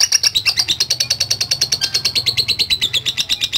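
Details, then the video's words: Lovebird in full voice with its long 'ngekek' trill: a dense train of rapid, even, high-pitched chattering pulses, about eight per second, running unbroken through the whole stretch, with a faint low hum underneath. "LOVE BIRD GACOR NGEKEK PANJANG"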